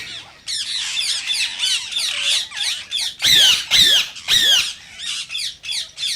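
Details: Rose-ringed parakeet calls meant to stimulate other parakeets to sing and mate: scratchy squawking chatter, then three loud, shrill, downslurred screeches in quick succession, followed by shorter harsh notes.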